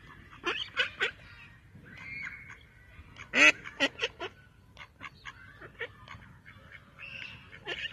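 A female mallard gives harsh, nasal quacks in irregular bursts, one loud quack standing out midway, with softer whistled notes from other birds behind.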